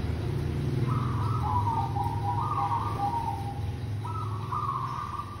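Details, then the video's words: Local zebra dove recording meant as a bird lure: three trilled, purring coo phrases, each about a second long, slightly falling then rising again, over a steady low rumble like an engine. "Perkutut lokal GACOR super pemikat AMPUH"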